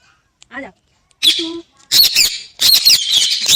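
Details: Parrot vocalising: a short nasal, talk-like note, then loud grating squawks building into continuous harsh screeching.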